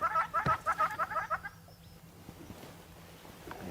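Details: A Southern Red-billed Hornbill calling noisily from a tree at sunset in the African bush near water gives a quick run of about nine hollow clucking notes in a second and a half, then falls quiet over faint hiss.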